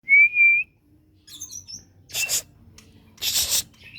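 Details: Oriental magpie-robin song used as a lure to provoke other birds into singing: a clear, steady whistled note, then brief higher whistles, followed by two loud harsh, scratchy bursts, with a faint hum behind.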